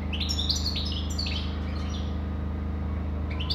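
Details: European goldfinch song: a quick burst of high, tinkling twittered notes in the first second and a half, then a pause and a brief restart at the end, over a steady low electrical hum.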